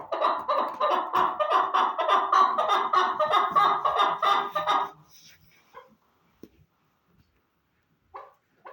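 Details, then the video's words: Chukar partridge calling: a fast, steady run of harsh, clucking chuck notes, roughly three each second, lasting about five seconds, followed by near silence broken by a few faint scattered notes. "Кабки Дулан"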